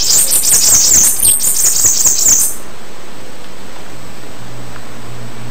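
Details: Bananaquit song: a fast run of very high, squeaky, wheezy notes for about two and a half seconds, then near silence with faint low hum.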